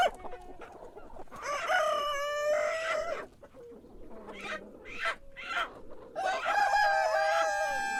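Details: Cock crows in the morning, two long harmonic crows with falling ends, a few short calls between them and another rooster faintly overlapping in the background.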